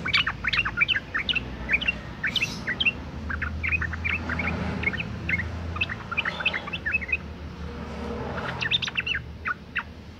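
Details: Sooty-headed bulbul female in breeding condition, calling males; repeated bright chirps and short whistled notes run steadily through the recording over a low background rumble, with a thicker cluster of sharper notes near the end.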